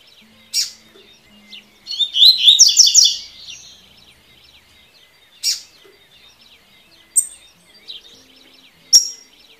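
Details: Double-collared seedeater singing the tui tui song style, played for training birds: a single rapid burst of bright, rising-and-falling warbled notes lasting about a second, set among scattered sharp, high chips and short pauses.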